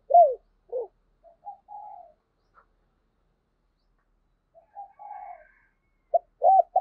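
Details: Spotted dove decoy cooing to set others off: loud arched coos, soft low notes and drawn-out wavering coos in two quiet phrases, ending with strong, clipped coos.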